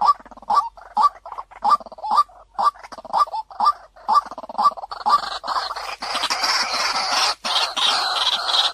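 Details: White-breasted waterhen lure call, clear-voiced: short hollow notes with a brief upward tick, repeated about twice a second for five seconds, then giving way to a dense, overlapping burst of harsher calling.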